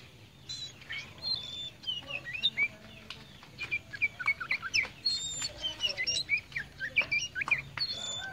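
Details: Tame kacer poci (Oriental magpie-robin), also called murai cacing, singing energetically. It gives a lively run of varied whistles, chirps and sharp slurred notes in quick bursts that go on almost without a break. A faint low hum sits underneath.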